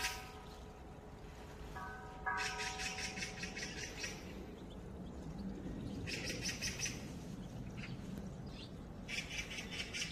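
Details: An Oriental magpie on a trail around Gaeungsan, 10 February 2021, gives harsh, rattling chatter in three bursts of rapid dry notes, over a steady low outdoor rumble with a faint tonal hum at the start.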